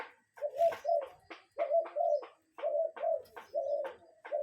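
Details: Cuckoo calling in nature, real bird recorded without talking or music: soft paired low hooting notes repeated about once a second, with faint sharp clicks between them.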